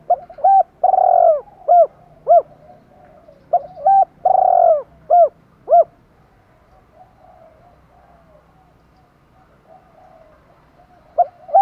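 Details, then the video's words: Spotted dove challenge calling and calling to hens: two full phrases, each a long purring coo followed by three clipped arched hoots, then softer distant cooing and a last hoot. "tiếng chim cu gáy thúc đấu và gáy gọi hai hậu"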